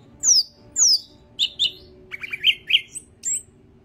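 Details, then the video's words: Yellow-headed greater green leafbird singing with spread wings; two clear downslurred whistles, then doubled chips and a rapid string of rising and falling warbled notes. "Burung Cucak Ijo Kepala Kuning Gacor Buka Sayap"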